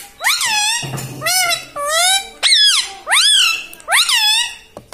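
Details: Talking parrot mimicking human words, giving about five strong, shrill, speech-like phrases in quick succession. Each sweeps sharply up and then falls, and a brief low hum sounds in the background.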